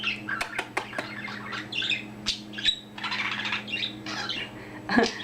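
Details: Young pet budgerigar that has just found its voice, chattering while bobbing its head indoors: a run of rapid buzzy warbles and squeaky notes broken by sharp clicks, with low room hum.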